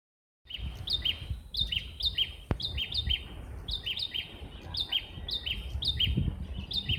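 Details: Bar-winged prinias answer each other, as if competing over whose voice is louder: sharp, high chirping phrases, the notes coming quickly at about two a second and overlapping, over a low rumble of background noise.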